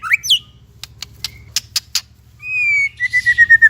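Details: White-rumped shama song meant for training young and silent shamas: a swooping high whistle, scattered sharp clicks over a low hum, then a sustained falling whistle and a series of quick chirps.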